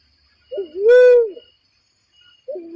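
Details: Barred cuckoo-dove call used as a trapping lure: a short low upslurred coo followed by a louder, longer hollow 'wooo' that swells and falls, with the start of the next call at the end; quiet otherwise.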